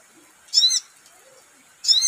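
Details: Crimson sunbird, played as a lure sound to set a bird singing: two short, very high, bright chirps with layered harmonics, about 1.3 seconds apart, over a faint steady hiss.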